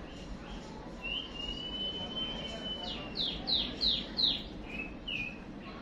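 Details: Caged white-rumped shama, a male being roused by a female lure call for fighting: one long level whistle, then five rapid sweeping notes and two short whistles, over a steady background hiss.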